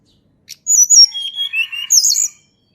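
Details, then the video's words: Song of a Sunda robin, recorded in nature and used to coax quiet birds into singing. One click, then very high thin notes drop to sustained pure whistles and finish in a rapid trilled flourish. "TLEDEKAN GUNUNG SUARA ASLI ALAM"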